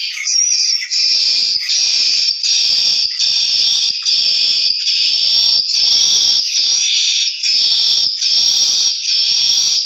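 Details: White-nest swiftlet calling: dense, high, buzzy twittering chirps in a continuous band, pulsing in bursts of about a second, roughly seventy-five per minute, with brief gaps between.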